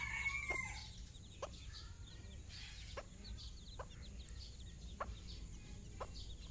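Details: Hen calling her chicks for a morning walk on their first trip outside: a few widely spaced clucks, about one every second or so, with faint chick peeping and a brief whistled note early on.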